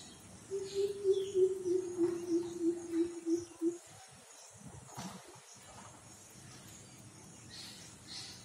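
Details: Greater coucal, locally called Mahop in Hindi, heard on waking, giving a deep, booming run of about ten hoots, roughly three per second, sinking slightly in pitch, then quiet with faint rustling.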